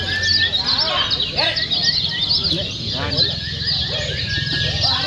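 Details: Lemon-bellied white-eyes (Lombok kecial kuning) pour out rapid, high, twittering warbles in competition-style song, overlapping without pause, several birds seeming to chatter at once.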